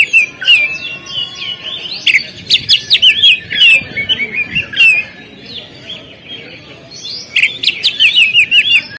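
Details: Oriental magpie-robin singing from a contest stand: rich, varied whistles mixed with rapid scratchy trills and sharp chirped notes, pausing briefly before a fresh burst of quick ringing phrases.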